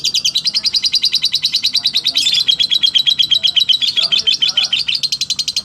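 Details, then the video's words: Lovebird singing a slow ngekek: a long unbroken run of rapid, high, sharp chattering pulses, about eight a second, steady throughout with a brief harsher burst near the middle. "Love bird slow ngekek"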